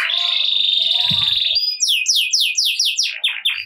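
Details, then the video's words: 'Ngerek'-style canary song, used to make reluctant canaries sing at once: a long, steady buzzy roll lasting over a second, followed by a quick series of falling whistled sweeps. "Kenari Gacor Ngerek Cocok Buat Kenari Yang Malas Bunyi Jadi Ikut Bunyi Seketika || Voice of Canary"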